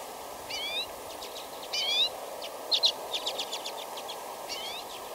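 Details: Common Redpoll, an eruptive species that may move south in winter into eastern North America, gives three clear, rising whistles about two seconds apart, with a burst of quick dry chattering between them, over a faint steady hum.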